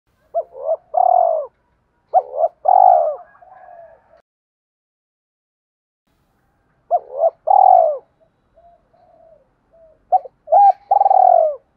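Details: Spotted dove calls used to lure wild birds: two phrases of low, hoarse cooing notes around 0.4 to 1 second long, with a soft fainter murmur trailing each, separated by a long silent gap.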